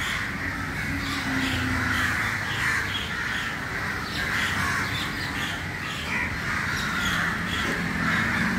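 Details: Many crows gathering in a crowded early-morning assembly, harsh cawing calls overlapping continuously, rapid and irregular, against steady background noise.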